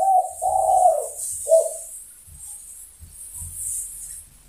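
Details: Spotted dove calling for companions: a few soft, low coos at the start, then quiet with faint thumps and a hiss in the background.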